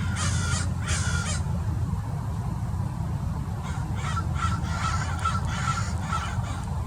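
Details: American Crows mobbing a Peregrine Falcon at Mason Regional Park, Irvine, Orange County, California, over thirty birds gathered: two harsh caws at the start, then a run of overlapping caws from several crows over steady low wind rumble.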